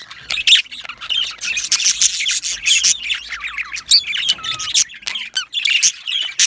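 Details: Budgerigar colony of yellow males in an aviary: choppy bursts of harsh chirps and squawks with a few short whistled slurs between louder clusters.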